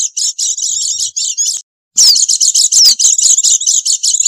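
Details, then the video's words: High, busy twittering of Oriental white-eye, a noisy call used as a lure for wild birds. Rapid chirps and short downward-sliding whistles fill the air, broken by a silent gap of under half a second. "Suara Pikat Burung Pleci Ribut"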